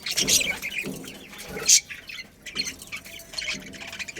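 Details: Budgerigars in a breeding colony, a breeding pair among them, chirping in short bright bursts high in pitch, with scattered squawky notes and a faint low murmur beneath.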